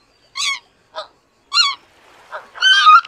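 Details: Greater white-fronted goose, a species of Eurasia and North America, giving short, nasal, harmonic honks: two separate calls, a softer note between them, then a longer, louder, overlapping burst at the end, suggesting more than one bird.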